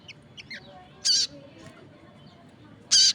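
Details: Crested jay calling strongly while other birds respond: two loud, harsh, noisy bursts about two seconds apart, with small quick chirps and thin notes from other birds between them.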